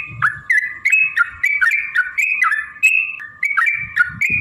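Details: Lively long rapid song of a yellow-vented bulbul, played as a lure to make other birds sing: quick bubbly whistled notes that dip and rise, closely strung together, with brief low thumps between phrases.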